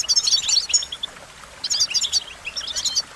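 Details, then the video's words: Quick, high twittering goldfinch phrases in three bursts, each a jumble of sweet chirps and short trills separated by brief pauses. "Goldfinch Melodies: A Collection of the Most Beautiful Songs"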